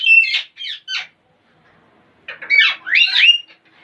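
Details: Parrots making weird sounds and funny noises: a few harsh, nasal squawks and rasping chatter, then after a short silence a burst of grating, warbling screeches rising and falling in pitch.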